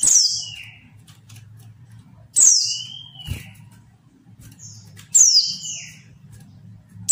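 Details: Provoking calls of a female white-eye: repeated shrill downward squeaks about every three seconds, each followed by a curved thin whistle, with brief higher notes and a constant low hum.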